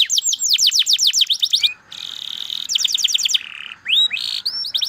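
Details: Canary with a quick descending trill, a flat buzzing tone, another rapid burst of notes, then looping upswept whistles.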